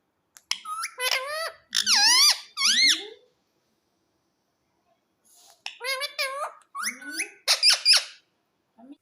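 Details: A pet Indian ringneck parrot at home gives two bursts of sharp, squeaky calls with rising and falling, almost speech-like inflections, separated by a few seconds of quiet indoors.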